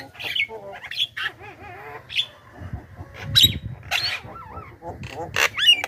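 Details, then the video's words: Javan myna lure sound for calling wild mynas: varied mix of wavering whistled phrases, sharp upslurred whistles and short rasping squawks, spaced irregularly, with a faint low hum beneath. "suara burung pikat jalak kebo gacor,suara pas untuk pancingan jalak ombyokan,responnya cepat"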